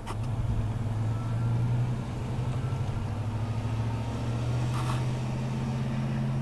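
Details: Steady low rumble of a passing vehicle engine fills the outdoor scene, with no animal calls heard.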